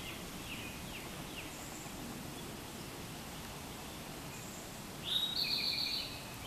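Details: Very young fledgling American robin, just left the nest while its flight feathers are still growing in, gives a few faint, high, falling chirps, then one louder, squeaky, slightly buzzy note about a second long, over steady outdoor hiss.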